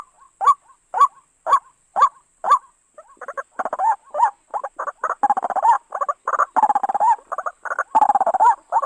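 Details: {'caption': 'White-breasted waterhen sound used as a trapping lure: several evenly spaced hoarse notes, then a busy jumble of gurgling, chattering and croaking notes of mixed length, with a faint high whine in the background.'}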